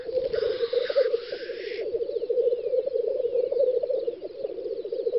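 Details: Black grouse lekking on a spring field in the Volga federal district, Russia, May 2019. A loud rushing hiss opens over the continuous bubbling chorus, with faint distant birdsong in the background.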